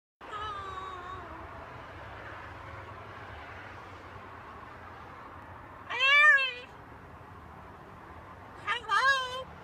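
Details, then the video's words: Macaw parrot: a low, voice-like harmonic sound at first, then two harsh, buzzy squawks with bent, rising-and-falling tones about three seconds apart, over a steady low hum. "Macaw talking"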